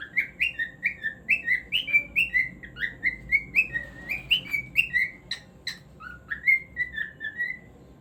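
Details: Cockatiel singing, a pet bird: a quick run of short whistled notes between mid and high pitch, each rising then dipping, about two per second, with a few sharp clicks in between and a faint low hum behind.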